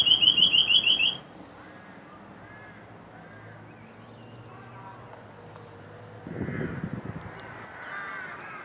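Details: Eurasian nuthatch song, amplified and filtered: a fast, loud run of about eight sharp whistled notes in one second, followed by quiet background hum and a brief low rumble.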